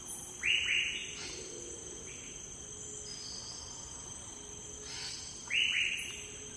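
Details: Andaman woodpecker (Dryocopus hodgei) on the Andaman and Nicobar Islands, India, calling: two bursts of sharp, downslurred notes in quick pairs about five seconds apart, over a steady high insect drone.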